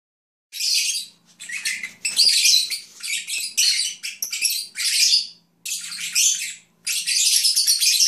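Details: Lovebirds (Agapornis) kept as pets, chattering while napping: bursts of harsh, buzzy high chirps and squeaks in runs of about a second, broken by short pauses, with a faint low hum beneath.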